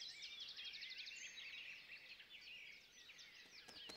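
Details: Jungle babbler youngsters making their first flights in a Gurgaon backyard during lockdown, several birds at once, give busy, overlapping high squeaky chirps and trills at a fast, uneven pace.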